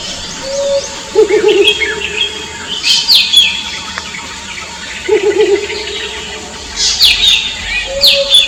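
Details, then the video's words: Mottled Wood Owls at night in the jungle, a courting male reacting to a female's response, trade low, quavering hoots a few seconds apart to signal their locations, over other birds' sharper chirps and a high insect hum. "Mottled Wood Owl Sound (location indication to each other)"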